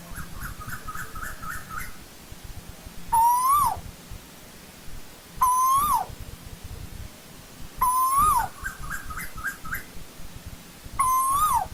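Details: Asian koel in old-growth forest, a clean recording without other noise: loud, rising two-part whistles repeat about every two and a half seconds, alternating with quicker series of short, rising notes over a low background hum.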